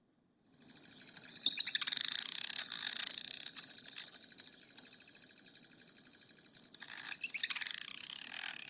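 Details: Black-backed Woodpecker rattle call, a distinctive sound that signals the species in burned forest: a dense, continuous high chattering rattle held for several seconds with a brief break, then resuming.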